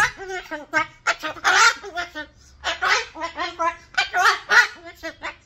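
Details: Pet cockatoo ranting noisily at its owner in a selfie recording; a dense run of throaty, speech-like squawks rising and falling, several louder shrill peaks, delivered in quick uneven bursts indoors.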